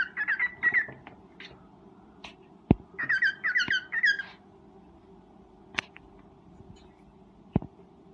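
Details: Breeding cockatiel giving mating calls: rapid clusters of harsh, slurring chirps in the first half, then quieter, with several sharp knocks and a steady low hum in the background.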